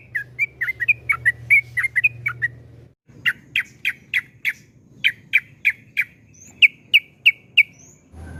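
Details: Yellow-vented bulbul in long 'ropel panjang' song, used to provoke other bulbuls to sing: a run of fast, warbled whistles, then a brief silence, then sharper, clearer whistled notes spaced about every third of a second.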